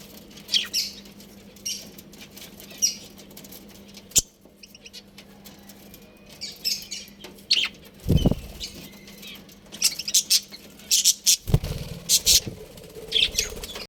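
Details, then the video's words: Budgerigar colony at home: intermittent high scratchy chirps building to busier chattering later, with occasional loud flapping and thumping sounds and a constant low hum throughout. "Budgies Chirping Sounds"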